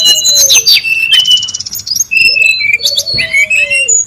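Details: Brown-chested jungle flycatcher calling in the wild, a lure recording: crowded high whistled notes and rapid trills, with low gliding whistles repeated twice and other birds chattering.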